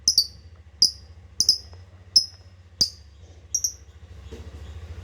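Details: Lovebird calls used as a lure for escaped birds and to stimulate mating: single sharp high chirps, some doubled, repeated roughly every half to three-quarters of a second over a low steady hum.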